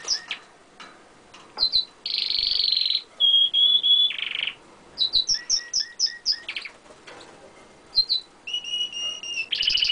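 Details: Pet canary singing close up on a window ledge: varied song mixing rapid chirps, long buzzy rolling trills, steady whistled notes and quick repeated pulses. Phrases change every second or two, loud and clear over a quiet background.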